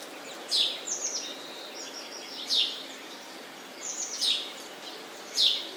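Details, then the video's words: A sparrow gives sharp, high chirps that slide downward, about four strong ones spaced a second or two apart, with softer twittering notes between and faint background hiss. "Sparrow Chirping sound"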